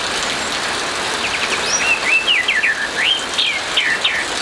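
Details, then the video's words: Orange-headed thrush in 'ngeplong' morning song under rain: after a second of rain hiss, a string of loud whistled slurs, some sweeping upward, others dropping, repeated rapidly to the end. "ANIS MERAH NGEPLONG PAGI DENGAN SUARA HUJAN"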